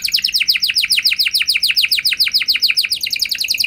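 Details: Canary delivering a rapid rolling trill of sharp descending notes, about three or four a second, played to trigger singing in other canaries; clean and loud with no background sounds.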